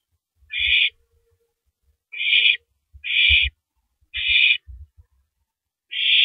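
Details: April 9, 2012, 3:33 AM: an owl shreds a rabbit for a while, then swallows it; five rasping, hiss-like screeches at irregular gaps, with knocks and scraping in the background.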